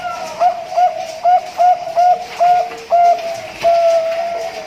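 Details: Bangkok-line zebra dove bred in captivity in Pasuruan, East Java, Indonesia, hatched March 2023, singing a rhythmic series of short, low, hooked cooing notes about every half second, ending in a longer drawn-out coo.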